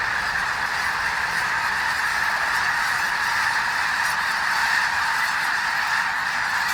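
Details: Snow geese by the thousands at Bosque del Apache, New Mexico, lifting off at once in winter; massed honking forms an unbroken, wall-like chorus of high nasal calls, with a faint rushing layer above.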